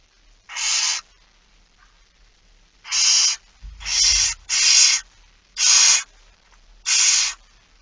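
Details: Barn owls begging during a 06:57 feeding on 13 September 2019, Netherlands: six hoarse hissing screeches, some in quick pairs, with a brief low rumble midway.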